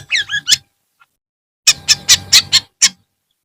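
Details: Long-tailed shrike in the afternoon: a quick pair of wavering squeaky notes, a pause, then five harsh, rasping notes in rapid succession and a final single rasp.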